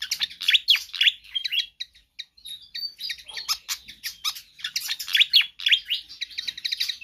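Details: Energetic Pied fantail song intended for tutoring or luring other birds: a nonstop run of high squeaky chirps and downward-swooping whistles, broken by a brief thin sustained tone and one short pause.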